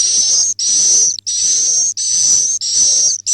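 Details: Swiftlet roosting call: long, high, hissing buzzy notes with a thin whistled tone, each about half a second, repeated in a steady series with short gaps, over a faint low electrical hum.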